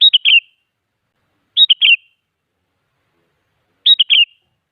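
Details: Song of a sooty-headed bulbul used as a lure so other bulbuls reply: three quick whistled phrases of several slurred notes, high then falling, spaced roughly two seconds apart in silence.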